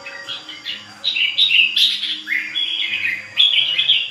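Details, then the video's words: Ché bird singing continuously: a lively, warbling stream of high, varied whistled phrases with quick chirps and trills, swelling in short bursts and barely pausing, over a faint low steady hum. "CHIM HÓT CHÉ LIÊN TỤC"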